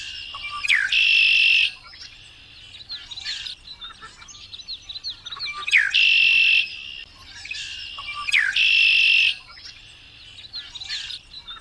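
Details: Variable oriole singing, described as in full song; three loud phrases about every three and a half seconds, each a steep falling whistle into a long, steady, buzzy tone, with softer chattering notes between.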